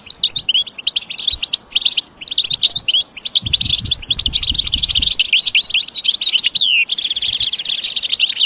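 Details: Goldfinch singing in a training recording for caged birds: rising and falling high twitters, a burst of low rumbling noise mid-clip, then a fast buzzy trill near the end.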